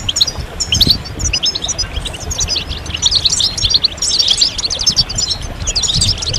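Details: European goldfinches in a chorus of mating and readiness calls used to urge males out of silence, giving quick tinkling twitters and clipped high chirps that swell in density after four seconds.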